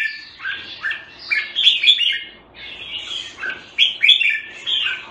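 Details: Singapore red-whiskered bulbul (jambul) delivering rich, liquid warbling song in repeated short phrases, each a quick tumble of slurred up-and-down notes, with brief gaps between bursts and little else heard.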